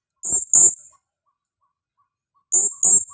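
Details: Lure recording of a female blue-crowned hanging parrot calling vigorously: paired sharp, piercing high squeaks, then a silent gap of about one and a half seconds before another pair. Soft regular ticking sounds underneath.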